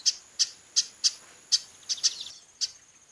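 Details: A female chestnut-capped blackbird calls in a fast series of crisp, dry chip notes, about three per second, then slows. A faint continuous high tone is audible.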